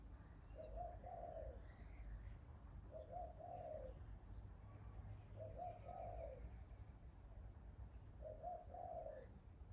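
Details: Four evenly spaced low cooing phrases from a bird, about every two and a half seconds, each a brief note then a drawn-out soft one, over low steady background noise.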